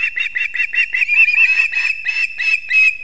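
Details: Osprey nest-camera recording from Kurzeme, Latvia, 6:40 am, 3 September 2024, as the father delivers two fish to the chicks; quick chirps that blur into a continuous, slightly harsher whistled chatter.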